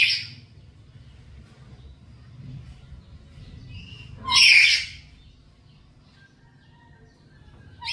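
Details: Black-capped lory kept at home and calling actively, used as a lure and master recording for training birds: one loud, harsh, screechy burst midway, with brief call fragments at the start and end over a low background hum.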